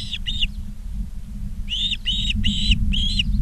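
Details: Nest-cam recording of Ospreys in Charlo, Montana, 19 August 2023, afternoon: a pair of ringing whistled chirps, a brief gap, then four evenly spaced louder notes, over a low droning background.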